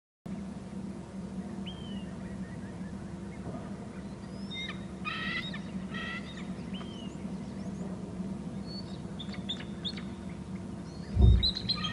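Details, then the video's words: Female bald eagle calling from the nest as the male arrives, recorded by a nest and territory camera on Hornby Island. Two bursts of rapid, stacked chattering notes, with scattered faint chirps from other birds over a steady low hum. "em is calling from bst as mr em arrives on the wa cam"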